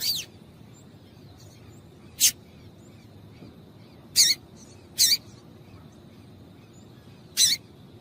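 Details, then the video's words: Female double-collared seedeater call meant to make a male sing: five short, sharp, high chips spaced irregularly over quiet, faint background hiss. "Melhor Piado de Fêmea de Coleiro para Esquentar Coleiro frio"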